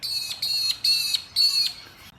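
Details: Rainbow lorikeet in the trees of Carisbrooke Park, a suburban Adelaide park in South Australia, gives four harsh, shrill screeching squawks in quick succession, each about a third of a second, high and grating with a metallic edge.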